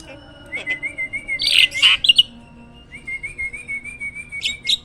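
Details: Hybrid jalak (myna) kept as a master bird for training other songbirds: clear whistled notes wavering near one pitch, broken by harsh buzzy bursts and sharp chirps, then a second long wavering whistle.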